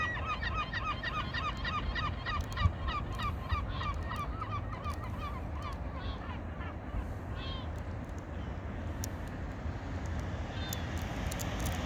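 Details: Water birds giving rapid, repeated honking calls in a dense run for the first half, then scattered calls fading into a constant low rumble of background noise.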